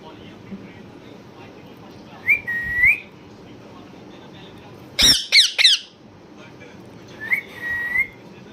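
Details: A parrot producing a rising then level whistle, a burst of three sharp harsh squawks, and another similar whistle near the end, against a low murmuring background.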